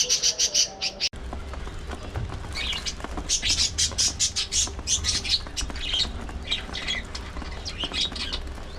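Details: Budgerigars in a breeding colony aviary, opening with a quick run of high chirps, then a short break, followed by continuous overlapping twitters and warbles from many birds.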